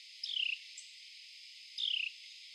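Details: A male Carolina wren clinging to and crawling on a tree trunk gives two short, high, buzzy notes that slide downward, about a second and a half apart, over a steady background hiss.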